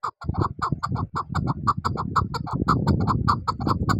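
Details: Chukar partridge repeating quick chuck notes in a fast, even series over a loud, continuous low rumble of background noise.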